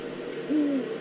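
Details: Eurasian eagle-owl in the Eifel, probably a female calling at the nest scrape, recorded 22 September 2014: one low hoot, slightly falling, lasting about a third of a second, over steady background hiss.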